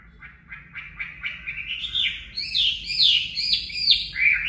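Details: Chinese hwamei song for training caged birds: short repeated chirps that build into loud, rising and falling whistled phrases, growing louder and more varied toward the end.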